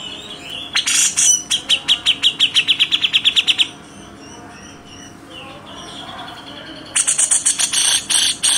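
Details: Cucak jenggot, the grey-cheeked bulbul, in a masteran training recording: harsh rasping bursts lead into a rapid run of bright repeated notes, a quiet gap follows, then more coarse 'besetan' rasps with quick notes.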